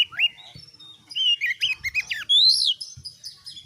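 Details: Oriental magpie-robin, a caged singing bird kept as a tutor for other birds, pours out loud varied whistles: a rising slurred note, then quick chattering phrases and a bright upslurred whistle, with faint low thumps behind.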